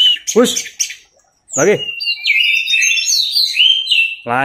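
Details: Orange-headed thrush (anis merah) singing teler style as tutor material: fluent whistled warbling through the middle, with people shouting loudly at the start and the end.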